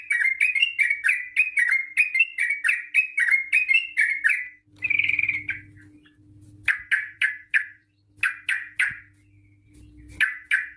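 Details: Long rapid 'ropel' song of a yellow-vented bulbul, used to lure bulbuls into singing: a steady string of chirped, slightly warbling notes for over four seconds, then spaced sharp chirps with a low background hum.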